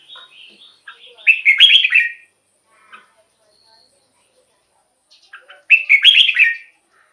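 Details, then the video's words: Red-whiskered bulbul singing for use as a decoy or to rouse caged birds. Soft warbled notes lead into a loud rollicking phrase, then a quiet gap, then another bright burst of quick whistled notes about four seconds later. "เสียงนกกรงหัวจุก สำหรับต่อ หรือ เปิดให้นกคึก เสียงเพราะๆ"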